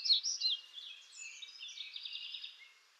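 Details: Black-throated grey warbler singing in western North America: a high, buzzy run of wavering notes, loudest at the start and then trailing off in a long, fading buzzy phrase.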